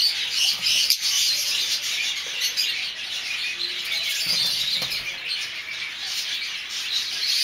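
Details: Chattering masked lovebirds in mauve, olive, cobalt and violet colour forms. Shrill, squeaky tweets pour out nonstop from many birds at once, a bright, crowded twittering with faint rustles.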